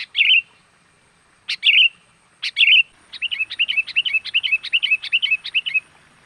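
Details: Sooty-headed bulbul lure call meant to draw wild birds in: three separate bright, sharp chirps spaced about a second apart, then a quick run of roughly a dozen repeated bubbly chirps.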